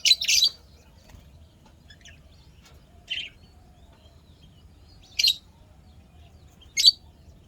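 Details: Pet lovebirds chirping, described as happy: four short, sharp, high-pitched chirps spaced about two seconds apart, with a faint low hum underneath.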